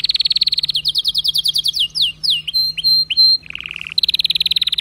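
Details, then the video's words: Canary singing a varied song: rapid rolling trills, then a row of descending whistled slurs and a few clear held notes, a brief lower buzzy burst, and a return to a fast dense trill. "اذا كناريك ما تغير في ضرف دقيقة اطلقو وبلاش تربي كناري"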